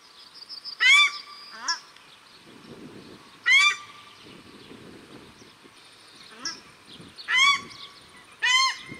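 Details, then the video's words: Male and female paradise shelducks calling at Cornwall Park in Auckland, New Zealand; loud nasal honks repeat roughly every three seconds, each a short harsh burst with a lower reply call between them. "Paradise Shelduck Calls at Cornwall Park Auckland，New Zealand"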